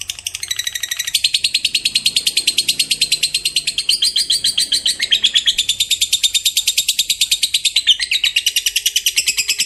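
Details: Long 'ngekek' trill from a fighter lovebird, a song said to prompt other lovebirds to sing. A fast, unbroken run of shrill chattering notes, about three per second or faster, continues for nearly ten seconds.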